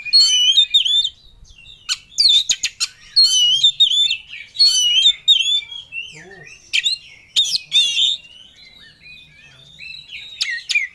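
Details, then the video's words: Oriental magpie-robin in full-emotion ngobra singing, seeking a rival: a long, varied stream of loud whistled phrases, trills and sharp clicks, with short breaks between bursts. "Kacer Ngobra Cari Lawan || Full Emosi Materi Joss"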